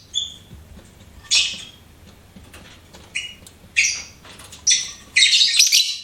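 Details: Shrill chirps from a pet lovebird, single harsh notes at irregular intervals building into a rapid chattering run at the end.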